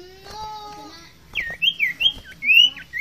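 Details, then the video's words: A common iora gives four or five loud, high, slurred whistles in quick succession, each swooping down then up, after a steady humming tone at the start. "Burung Sirtu/Cipoh Fighter Gacor"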